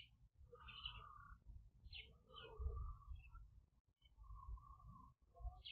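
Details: A purple-crested turaco visiting a garden to feed in the morning in White River, Mpumalanga, South Africa, gives short, hoarse mid-pitched calls in irregular bursts with higher chirps, over a steady low rumble.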